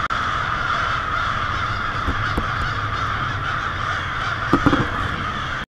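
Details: Evening roost of a vast flock of American crows on a residential avenue in Lansing, Michigan, February 1, 2016; a thick, continuous racket of harsh cawing, with a few sharp knocks and clicks scattered through.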